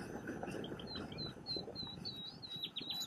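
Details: A nightingale perched on a tamarisk sings a run of clear high whistled notes and quick downward slurs in fast succession over a steady low rumble.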